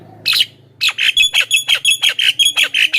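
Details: Javan myna song used as a lure: after one harsh burst, a rapid even series of about ten loud, ringing squawked notes repeated nearly three times a second.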